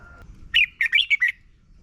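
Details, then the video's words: Red-whiskered bulbul song, played for young birds to learn from, Thailand: a brief phrase of five quick warbled, slurred notes, mid-high and lively, after a faint steady tone. "นกกรงหัวจุก - 30 นาทีทุกเช้า เพื่อให้นกเรียนรู้ที่จะพูดได้อย่างรวดเร็วและหนักแน่น"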